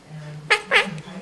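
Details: Caged pet Quaker parrot at home practising its favourite words and phrases: two short, bright, harmonic voiced calls, the second longer and slightly swooping, over a low indoor hum.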